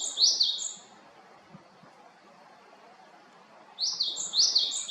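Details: Japanese tit in Haenam: a burst of high two-note phrases at the start, a long quiet gap, then another short series of bright, sharp phrases near the end.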